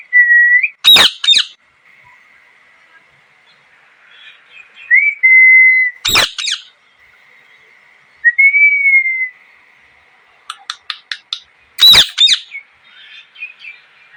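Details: Parrot calling: loud, grating screeches recur roughly every five seconds, mixed with steady, level whistled notes that sometimes rise at the start. A quick burst of sharp clicks comes before the last screech.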